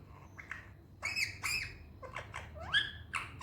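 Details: Pet Indian ringneck parrot talking: a run of short, raspy, harmonic syllables with sliding pitch, clustered into word-like bursts with brief pauses; faint low hum in the background.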